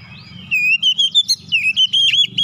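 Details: Oriental magpie-robin in a basic tight rolling song: a run of clear whistled notes, each bending and wavering, delivered in close succession over a low background hum.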